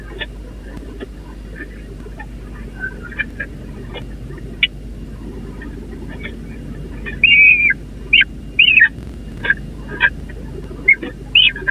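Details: Peregrine falcon chicks begging at a busy nest on the Catharinakerk church, recorded 30 April 2021: scattered thin squeaky notes at first, then louder harsh, wavering squeals repeated irregularly in the second half, over steady low hum.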